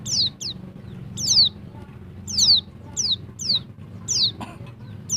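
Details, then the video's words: Female Bali white-eye (pleci dakbal) giving its call meant to stir males: sharp, high descending whistles, single or doubled, spaced roughly every half to one second above a soft low rumble. "TERAPI PLECI DAKBAL BETINA, BIKIN BURUNG PLECI MU NGALAS"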